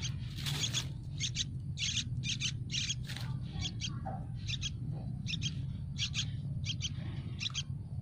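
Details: Yellow-vented bulbul nestlings in a nest in a tree give rapid, high, scratchy begging calls for food in short bursts roughly every half second over a steady low rumble.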